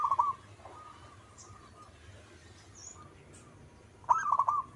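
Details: Local zebra dove singing actively: a brief coo at the start, then mostly quiet background with faint soft notes and a few small clicks. A short, loud rolling burst of staccato coos comes near the end.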